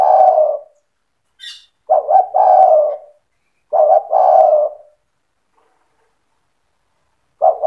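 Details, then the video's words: Spotted dove in full cetretan song, meant to stir rival doves: repeated phrases of two short stammering coos and a long mellow coo, a brief high chirp between the first phrases, and a long pause before the last one begins. "Suara burung tekukur gacor cetretan bikin deruk tekukur derkuku balam lain emosi ikut bunyi"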